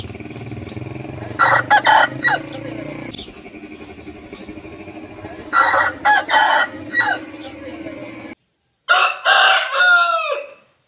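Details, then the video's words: Aseel roosters crowing, slowed down: choppy, drawn-out bursts in groups, with a clearer descending harmonic crow near the end and a short silent gap before it. "Aseel Roosters Crowing Sound Effect in Slow motion | Aseel Murga ka Sound Slowmo"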